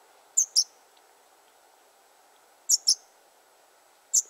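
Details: Fledgling yellowhammer calling from cover as a parent comes back; sharp, very high paired notes, each pair a quick double tick, repeated roughly every two seconds over a soft background hum.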